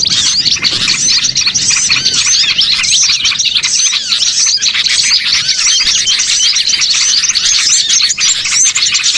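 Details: Bird-catching lure of many small birds chattering together. Shrill, rapid chirps and short upward-flicking whistles overlap continuously. A faint low murmur sits beneath for the first two seconds.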